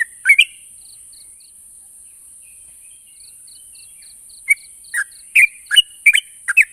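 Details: Yellow-vented bulbul, called trucuk locally, offered as a sound that makes stalled, silent bulbuls answer. A short bubbly note pair opens, then a long quiet gap, then scattered liquid chirps cluster near the end over a steady high hiss.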